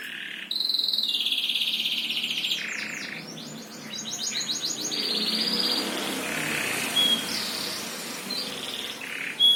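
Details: A bird sings a sustained high warbling trill that shifts into a rapid series of descending notes, then softer scattered chirps over steady background noise.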